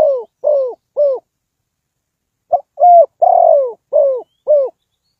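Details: Decoy spotted dove calling to draw birds into a trap: a few short low coos, a pause of over a second, then a fuller phrase with a long drawn note followed by two clipped coos.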